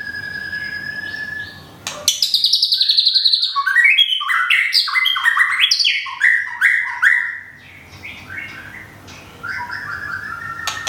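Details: A molting white-rumped shama from Thung Song, Thailand, with feathers almost full, bursts into a fast, loud song. Rapid clicks and dense, tumbling whistled notes follow each other several times a second, then it pauses and gives a few softer phrases.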